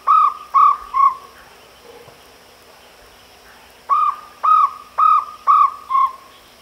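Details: Jungle owlet hooting: three quick clear notes, a quiet pause of nearly three seconds, then a burst of five more evenly spaced, slightly arched notes; low steady hum behind.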